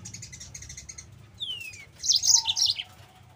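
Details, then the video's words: Yellow-fronted canary lure song for training other canaries, with a long falling whistle followed by a rich jumble of bright, quick high chirps descending in pitch. "MASTERAN BURUNG MOZAMBIK GACOR"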